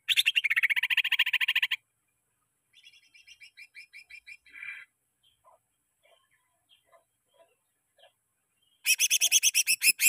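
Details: Greater green leafbird singing as a lure for caged birds: loud buzzy rattling bursts at start and end, with softer chattering notes and sparse clicks between them.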